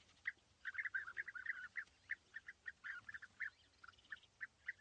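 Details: European bee-eaters, a pair perched together in small trees at East Leake Quarry, 5 July 2017, sunny morning, 80 metres from the viewer; a lively stream of repeated rolling, liquid calls, tightly spaced and overlapping.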